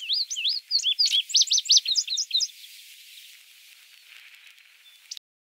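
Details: Male indigo bunting in song on an Illinois prairie, Goose Lake Prairie, 29 May 2016: a rapid string of high paired slurs and sharp arched notes for about two and a half seconds, then quiet background.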